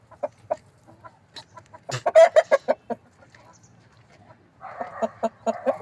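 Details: Desi hens giving loud, rhythmic clucks, a burst of short stacked notes in the middle, then a rougher run of repeated clucks over a faint low hum.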